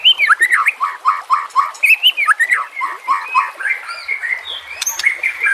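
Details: White-rumped shama song serving as a masteran for training captive murai batu: a continuous stream of loud, fluid whistles and rapid chattering notes, steadily repeated and varied, with a faint click near the end.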